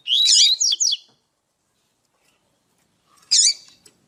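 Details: Female Double-collared seedeater call meant to get males singing: a loud burst of rasping, twisting high notes followed by two quick slurs, a long silence, then one more buzzy chirp.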